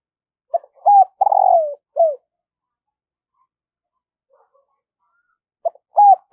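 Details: Morning calling by a decoy spotted dove luring wild birds. One complete phrase of short introductory notes, a drawn-out descending coo and a closing note. A long quiet pause follows, then the next phrase begins.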